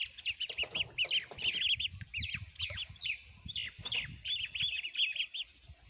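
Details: Several ducklings eat food and keep up dense overlapping high peeps, with a soft low scuffling underneath.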